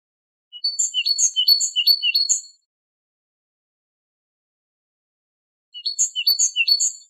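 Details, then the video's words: Two bursts of rapid, ringing great tit phrases, each with a sustained high whistle, a dipping low note and a bright upper chip, repeated several times. Recorded for tutoring goldfinches. "تغريد طائر الحداد"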